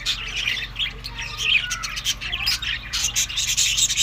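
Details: Budgerigars feeding on summer food, May to June, mix rapid scratchy chirps with rubbing, scraping noises, the chatter dense and bright throughout.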